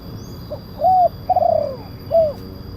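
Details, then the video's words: Big-voiced kuk 1 spotted dove call used as a lure and master song: a short hoot, then a steady arched coo, a lengthy downward-sliding coo and a final curved coo. "Suara pemanggil burung tekukur kuk 1 penguku suara besar"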